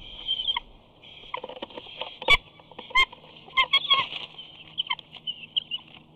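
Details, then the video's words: Young eagle at Big Bear, screeing as it flies toward the nest where its parents have a fish, 2 August 2019: thin, high whistled screes repeated over and over, broken by sharp cracks and knocks as debris falls from the tree. "Simba is heard screeing as he flies towards the nest."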